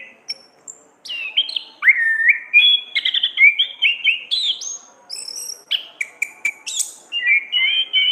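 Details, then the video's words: Orange-headed thrush singing in the lively, full-voiced gacor ngeplong ngriwik style, used as a master recording to train songbirds: a dense, continuous run of varied whistled slurs and chirps, many dropping in pitch, mixed with very high thin squeaks, with almost no pauses. "burung Anis kembang ngeplong gacor ngriwik"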